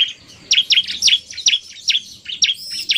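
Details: Male bar-winged prinia singing 'narung' together with a fast female: a steady string of sharp, high chirps, each sliding downward, repeated roughly every quarter second after a quiet start.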